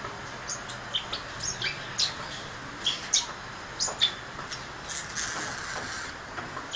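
Grass parakeets give short, high, thin chirps and squeaks, scattered irregularly over a steady background hiss.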